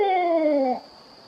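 A Barred Owl gives a single hoarse, drawn-out hoot that slides slowly downward over under a second, then fades into a quiet background hiss.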